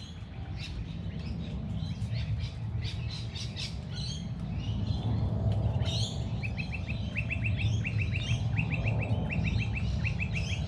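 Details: Birds chirping on a light rainy day, loose high tweets early on, then a bird repeating quick groups of three or four clipped notes about every half second, all under a loud low rushing noise.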